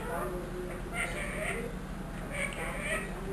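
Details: Trained one-year-old pet ringneck parrot talking: soft, hoarse, speech-like syllables in short clusters about once a second, fairly quiet against a constant low room hum.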